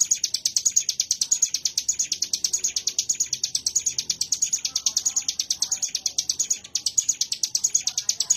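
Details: Ciblek gunung prinia in prolonged ngebren 'wave shot' song: a long run of piercing, rapidly repeated chips with a brief stumble near the end before the steady high rattle carries on.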